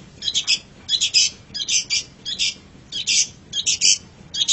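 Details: Long-tailed shrike (pentet), recorded as a masteran for training songbirds: grating, rasping double and triple notes in short bursts, about one and a half bursts per second.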